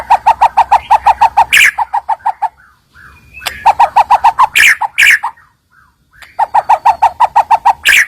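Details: White-rumped shama filler song as a lure to set off rival birds: rapid strings of loud, evenly spaced mid-pitched notes broken by harsh bursts, repeated in three bouts with short gaps.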